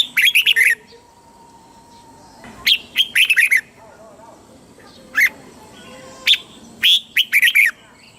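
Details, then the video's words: Red-whiskered bulbul song, a southern Thai master-song style played to excite caged birds and teach young ones: bursts of bright warbled, slurred notes in short phrases, repeated several times with gaps of silence between them. "เสียงนกกรงหัวจุก สำหรับต่อ หรือ เปิดให้นกคึก เสียงเพราะๆ"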